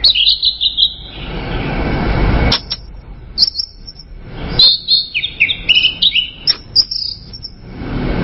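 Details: Orange-headed thrush song: a rapid run of sharp, high whistled notes and twittering slurs, delivered in a dense cluster in the second half, over faint background hiss.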